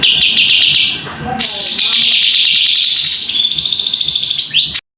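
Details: Cucak cungkok singing for use as a tutor recording: a long, continuous buzzy high trill with a fast pulsing rhythm, interrupted once by a short hissing burst, ending in a rising sweep before cutting off.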